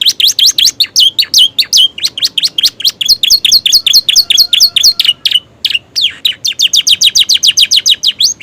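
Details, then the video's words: Freshly moulted Romeo canary singing with copied prenjak and ciblek calls: quick series of high, hooked whistled notes, some with sharp upward flicks, repeated steadily with a brief pause before the final fast run. "kenari romeo gacor isian prenjak ciblek durasi masuk"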